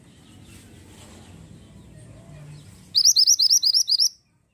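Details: Pied bushchat singing actively: after low background rumble, a quick run of about seven bright, high, upslurred whistled notes, evenly repeated and ending abruptly.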